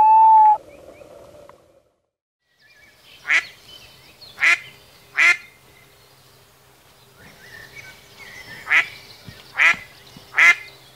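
A duck gives harsh, nasal quacks, three in a quick series and then three more, after a brief higher tone at the start.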